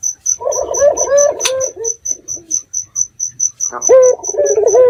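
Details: Lure recording of a local red-eyed dove, made at night to draw replies from other doves: two bursts of low, rolling, slightly wavering coos separated by a gap, with rhythmic high insect chirps running throughout.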